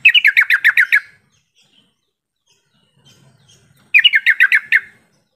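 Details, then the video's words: Sooty-headed bulbul call played as a lure to make other bulbuls answer: two bursts of about eight rapid, bubbly chirps, each lasting roughly a second, separated by a pause of near silence. "Suara panggilan trucukan ini mampu mengatasi trucuk yang malas bunyi jadi rajin bunyi sahut sahutan"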